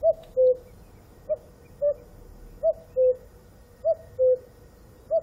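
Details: Repeated two-syllable cuckoo call, a short higher note then a longer lower hoot, about four pairs at a steady pace in quiet surroundings.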